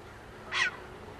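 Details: Short-eared owl recorded in New York and played back from a field guide app: a single short, harsh, raspy bark, abrupt and noisy, lasting a fraction of a second over quiet background.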